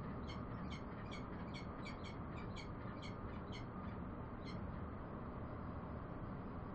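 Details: Bellbird in a quick, busy series of ringing pings, several per second at first, then thinning out and falling silent, over a loud low rumble.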